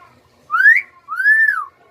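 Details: A pet common myna, kept as a talking bird, gives two clear, human-like mimicked whistles: a quick rising note, then a longer arched one that climbs and falls.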